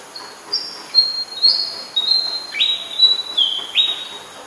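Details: Oriental magpie-robin singing in Ubon Ratchathani, Thailand, on 20 September 2022, recorded with a Nikon P1000: a varied run of clear, high whistled notes, some flat and some sliding, about two per second, with a steady faint high hiss behind.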